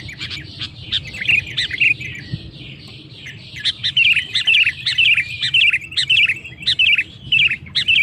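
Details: Sooty-headed bulbul (kutilang) song meant to goad rival males: softer chirps building into a regular series of loud, bubbly two-part phrases almost twice a second, over low background hum.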